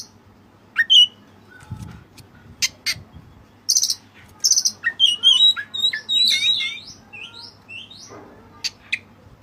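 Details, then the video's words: Oriental magpie-robin (white-breasted kacer) singing in a rich song laced with Cililin-style phrases: sharp chips, then a long flowing run of varied warbled whistles and slurred notes, rising and falling, over a low hum. "Burung Kacer Gacor Isian Cililin"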